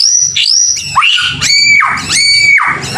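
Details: White-rumped shama in vigorous song, a lure to make other shamas respond: repeated loud upswept whistles that level off, each roughly half a second apart, with high overtones.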